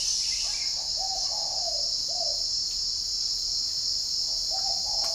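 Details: Captive spotted dove at a northern Vietnam bird farm near Ba Vì, Hanoi, calling in the morning: a run of gentle low coos in paired and tripled notes, with a continuous shrill insect-like drone behind.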